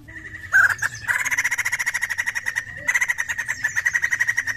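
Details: White-crested laughingthrush opening with a sharp loud note, then a steady, fast chattering run of ringing notes that continues to the end with only one brief break.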